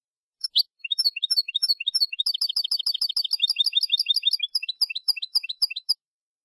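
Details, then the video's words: European goldfinch singing in the Malagueño style, recorded for teaching young goldfinches to sing: quick runs of high, bright twittering notes, at first spaced and then packed into a fast, jingling sequence of short chirps lasting about five seconds. "Nuevo CD malagueño para educar jilgueros EL TENOR DE MALAGA 2022/2023"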